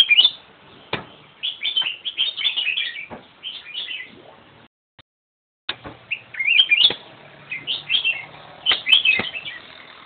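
A black-crested bulbul sings bright, slurred, warbling phrases in quick bursts. A few sharp clicks and a brief silent break midway interrupt it.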